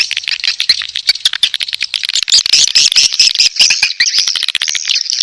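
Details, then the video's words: Mating call of edible-nest swiftlets, known as 'birahi', meant to lure them into a nest house: busy high-pitched chattering with crisp, irregular clicks about twice a second. "Suara Panggil Walet B1RAHI"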